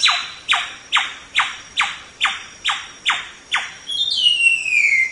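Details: White-rumped shama training recording with eight evenly spaced, sharply falling harsh notes roughly every half second, ending in a high, smooth whistled glide.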